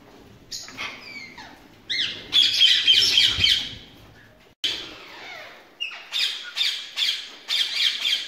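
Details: Captive ringneck parakeets in a breeding setup, with thin rising chirps followed by loud grating squawks repeated in steady runs, a brief silence partway through, then more rhythmic squawking.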